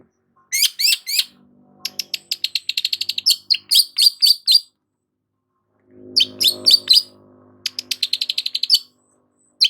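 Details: Long-tailed shrike giving vigorous song, with fast repeated high ticking notes and chirps in two long bursts, about four notes a second, over a faint low rumble.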